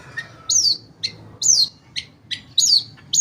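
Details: Long-tailed shrike song played to provoke silent shrikes into singing: sharp, high, down-slurred whistles alternating with short chips, about three per second.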